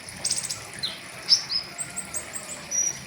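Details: Caged pentis raja flowerpecker in riwikan-style song for tutoring birds: a quick burst of high buzzy chips, then thin rising and falling whistled notes in rapid succession over faint background hiss.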